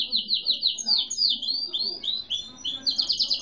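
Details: Gray-and-white domestic canary of no defined breed singing rapid rolling trills of short descending high notes, with buzzy phrases and a renewed fast trill at the end; a capim-seedeater was also singing while it was recorded.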